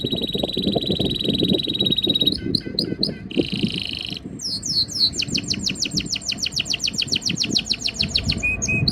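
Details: Breeding-season canary singing to impress a female: a steady high trill, a chattering burst, a harsh buzzy section, then a long run of rapid descending sweeps, with low thumping background noise.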